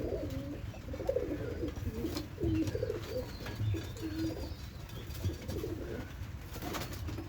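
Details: Three white pigeons in their loft giving a run of low, pulsing, throaty coos, several phrases in a row, over a steady low background rumble with a few faint distant chirps.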